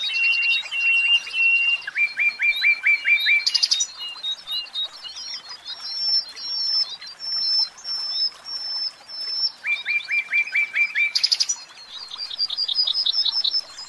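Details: A caged common nightingale sings loud, varied phrases: rapid runs of repeated chirps, clear whistled notes and buzzy rattles, each phrase changing quickly to the next.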